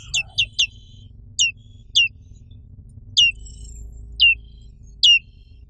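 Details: High, thin chirps from a black-capped white-eye of Indonesia, each note dropping steeply in pitch; a quick run of three opens, then single notes spaced about a second apart, eight in all.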